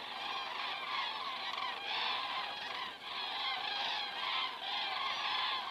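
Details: Crane cam in Estonia, 19 September 2017 at 19:10, with common cranes passing overhead: a loud, dense flock chorus of harsh trumpeting calls in surging waves, pausing briefly around the midpoint.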